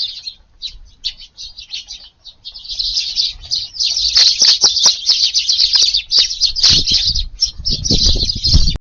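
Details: Eurasian tree sparrows at an evening garden feeding, 18 July, breezy; chirping starts sparse and quiet, then swells into a thick, continuous chatter from the flock, with low wind bursts toward the end.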